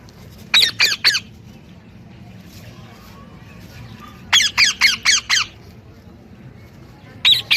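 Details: Parrot calling in bursts of harsh, grating squawks: three quick notes, a pause of several seconds, then five more in a row, and another starting at the close.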